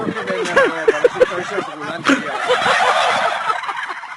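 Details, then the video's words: Group of turkeys calling together. A fast burst of stacked, warbling gobbles comes in the first second, then further rattling notes over a busy background with a sharp knock. "Turkeys making noise together"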